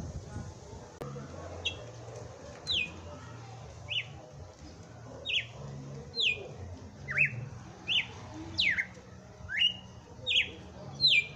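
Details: Red-cowled cardinal singing on Christmas Day, giving short, bright, slurred whistled notes at an uneven pace, mostly high-pitched, over a low background hum.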